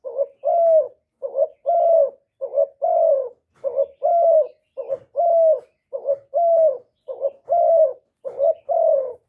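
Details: Repeated cooing of a spotted dove, meant to stimulate kept male birds: a clipped first coo and a longer, gently falling second note, cycling regularly roughly every 1.2 seconds, with nothing else audible.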